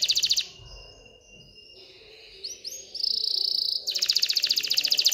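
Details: Excited canary song meant to stimulate females to mate and nest: an opening buzzy trill, quiet stretch, soft rising whistles, a sustained bright buzzy note, then a loud fast trill.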